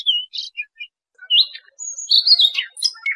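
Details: A Siberian Rubythroat, recording used as a lure for trapping, sings a quick, varied warble of high, sweet whistles and scratchy chirps, broken by short pauses.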